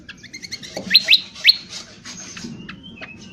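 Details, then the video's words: Indonesian honeyeater in rough twitter (ngriwik kasar) style, used for training birds: quick high ticking notes, then three loud rising whistled sweeps, fading into softer scattered chirps and thin level whistles. "Cucak Kombo : belajar Ngriwik NGriwik Kasar!!"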